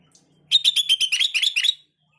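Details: Sooty-headed bulbul, played as a lure call to make other bulbuls answer: a bright, bubbly phrase of about a dozen quick, chattering notes over a second, wavering in mid-high pitch, in a quiet room.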